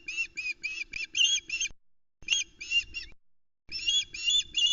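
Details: Loch Arkaig osprey nest, morning of 17 July 2020: the female shouts from the nest edge as the male brings the day's second fish, a headless trout. Three quick bursts of piercing, repeated whistled chirps, loud and rapid, with faint low background hum.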